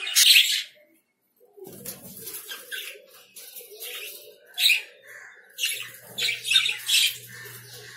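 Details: Lovebirds giving sharp, shrill chirps in a loud burst at the start, then a quiet gap followed by a run of short, harsh screeches toward the end.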